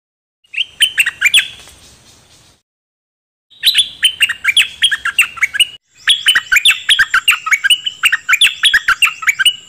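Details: Dok taeng bird song used to train young birds and excite them: three long phrases of fast, loud chirps and downslurred whistles, the last phrase a dense rattling run.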